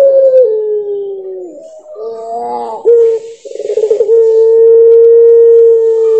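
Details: Cooing puter pelung dove from a set of nine with differing voices and characters: a long falling opening note, a buzzy warbling middle, a quick stuttering trill, then a smooth sustained hum held more than two seconds.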